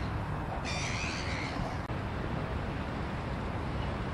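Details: A crow in the Belvedere garden, Vienna, in autumn gives one harsh, drawn-out caw lasting about a second, over a steady low rumble of city traffic.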